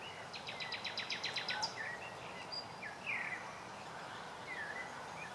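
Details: One of Oxfordshire's last common nightingales (Luscinia megarhynchos) singing in May 2014: a fast run of about ten hard repeated notes, then varied whistles and chirps over steady background hiss.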